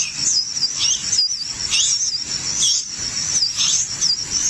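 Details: Chicks in a nest begging noisily at feeding time: continuous, very high, wavering chirps rising and falling in quick pulses, with no pause throughout.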